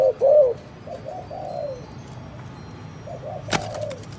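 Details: Spotted dove with an unusual cooing style: a loud pair of low coos opens, then softer drawn-out coos. A faint later phrase is cut by a sharp click over steady background hiss.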